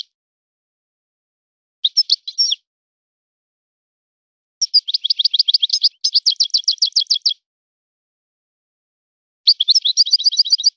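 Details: European goldfinch singing in a breeder's song style: short and long phrases of rapid, high, buzzy twittering, including an even trill of repeated notes, separated by silent gaps, with nothing else audible.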